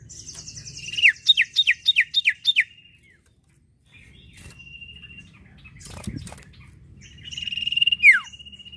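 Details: Song of a sirtu bird, used to prompt other birds to sing: a rapid string of six or seven downslurred whistles, a pause, a level tone, a thud, then a rising buzzy phrase ending in a falling whistle.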